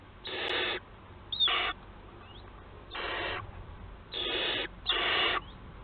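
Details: Barn owls filmed by a nest camera at Théding, France, on 4 July 2022, giving five rasping, hiss-like screeches of about half a second each, separated by short quiet gaps.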